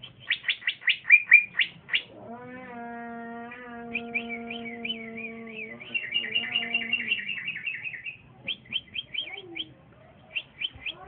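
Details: Young male green leafbird with trotolan-style singing, bold beside another bird: rapid high chirps, a steady low droning tone with harmonics, then a wavering whistled trill and spaced sharp notes.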